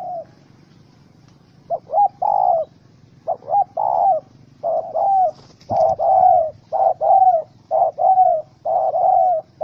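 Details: Wild spotted dove, angry after being caught in a trap with a small rope, recorded 04/07/2017: a long run of short, throaty mid-pitched coos, some ending in a slight upward hook, about one per second. A faint click sounds midway.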